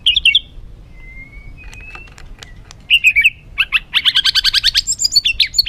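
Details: Agitated, rough white-rumped shama song used to provoke other birds into excitement: a long thin rising whistle, scattered clicks, then a loud rapid burst of repeated harsh notes near the end.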